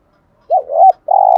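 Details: Single 'gù thúc' phrase of a spotted dove, a cooing style said to get decoy doves calling: a dipping, wavering two-part hoot, a brief pause, then a long level mellow coo.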